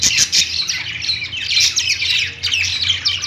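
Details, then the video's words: Budgerigars singing on a perch in a pet store, a dense chorus of rapid, overlapping chirps, squawks and warbled notes with no pauses, many birds calling at once, and a faint low hum underneath. "budgies singing on perch | parakeet chirping sounds in pet store"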